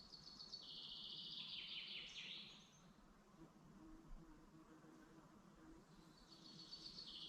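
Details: Birds singing in a forest in the Dublin mountains, Ireland, in the morning: bright, rapid high-pitched trilled phrases lasting about two seconds, a pause, then another trill starting. Steady low background hum.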